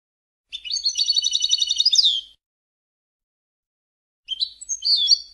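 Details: European goldfinch singing in Palestine: a rapid, regular trill of buzzy high notes ending in a quick downward slur, then after a pause a short, scratchy twittering phrase.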